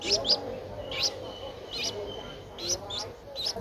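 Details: Streak-eared Bulbul chick, ten days old, at Ubon Ratchathani in Thailand on 12 April 2023, utters scattered high squeaks, some paired, with short gaps between them and low background noise.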